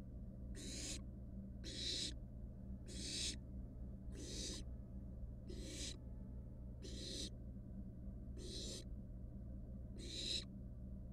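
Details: Wild barn owl nestlings in a nest box, resting with a mouse underfoot. Eight rasping, breathy hisses repeat roughly every 1.3 seconds at a steady, moderate volume over a faint low hum.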